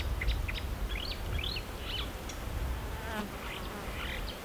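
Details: Imitating marsh warbler with a patchy sequence of twittering chirps and looping whistled notes, separated by brief pauses, beside a soft insect-like buzz and low background rumble.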